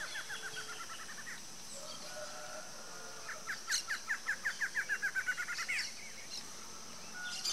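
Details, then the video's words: A mated pair of Barred antshrikes (Thamnophilus doliatus) in Brazil duet in quick series of nasal, downslurred notes that speed up and build in volume, then end abruptly, while other faint birds call behind them. "Dueto do Casal de Choca-barrada"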